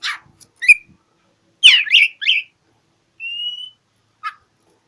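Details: Oriental magpie-robin challenging a rival in song: loud harsh rasping downslurs, a clear level whistle, and scattered short chips in quick succession over a quiet background.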